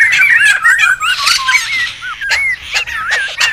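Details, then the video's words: Wild laughingthrushes calling loudly, for luring and training birds: bouncing, rolling whistled notes mixed with rough squawks and sharp clicks, in bursts with brief gaps. "SUARA PIKAT DAN MASTERAN SEMUA BURUNG POKSAY RIBUT ALAM LIAR"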